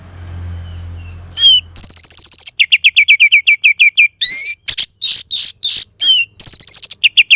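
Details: Orange-headed thrush in full, loud song: long series of rapid, evenly repeated high notes, each a sharp downward-flicking whistle, broken by dense rushing bursts of chatter, after a brief quiet start with low hum.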